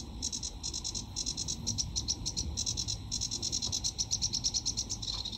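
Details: Singing sedge warbler in the UK, a summer breeding visitor, delivering rapid, dry, chattering phrases of quickly repeated high notes in an unbroken stream, over steady low background rumble.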